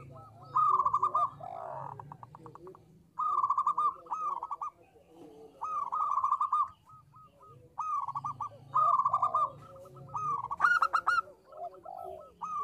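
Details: Local zebra dove singing in small-voice style: five or six bursts of rapid, staccato trilled cooing spread across the recording, with softer bending coos and a steady low hum between them.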